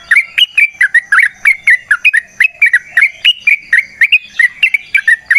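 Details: Forest-recorded yellow-vented bulbul giving its long 'ropel panjang' song for luring. A steady stream of lively, bubbling, slightly falling notes in a clear setting.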